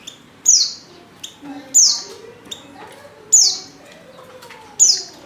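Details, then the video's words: Female Oriental white-eye call for luring males to sing: four high descending notes spaced over a second apart, each preceded by a short faint chip, with soft lower sounds behind. "pancingan pleci betina paling ampuh,bikin pleci jantan ngalas"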